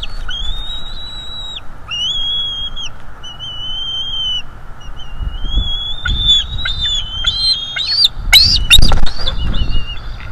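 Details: Father bald eagle defending its North East Florida nest against an intruder, captured by a nest livestream camera: long piercing whistled notes in sequence, breaking into a rapid excited chatter of short notes near the end, with some low bumping noise.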